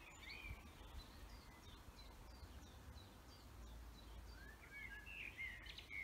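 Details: Several birds chirp and twitter in short high notes over a steady low rumble in a forest, with a louder burst of trills near the end.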